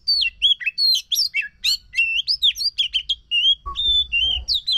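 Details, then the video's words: Lure song of an Oriental magpie-robin for a magpie-robin that has stopped singing: energetic run of sharp whistles and buzzy chatters, followed by sustained clear whistled notes with faint rustling. "Pancingan Ampuh untuk Kacer yang Macet Bunyi"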